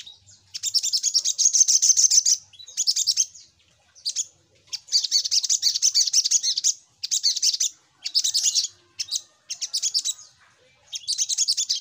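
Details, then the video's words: Little spiderhunter used as a lure sound, giving long bursts of rapid, high, scratchy chattering notes, several seconds each, separated by short gaps. "Suara Pancingan Burung SogokOntong"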